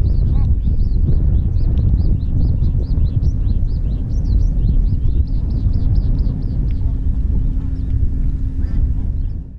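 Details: A flock of bar-headed geese gathered at a wetland in Satpura National Park, central India, calls in a steady overlapping chorus of short nasal honks that fades after about seven seconds, over heavy low wind rumble.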